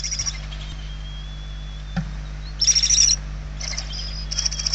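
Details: Hungry barn owl nestlings inside a nest in Spain, 28 November 2023, give short scattered rasping hisses, the loudest around the middle, with a faint thin whistling tone and a steady low hum.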